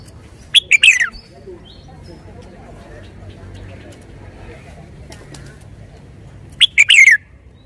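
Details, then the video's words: Red-whiskered bulbul kept in a cage, singing a quick warbled phrase at the start and again near the end, long quiet gap between with faint background noise. "นกกรงหัวจุก 535 จ้าวคำหมาน ชัดเจนเน้นทุกดอก"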